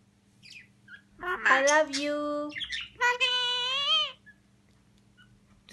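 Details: Pet myna bird gives two drawn-out, voice-like phrases about a second apart, harmonic and speech-like, with a faint steady hum underneath.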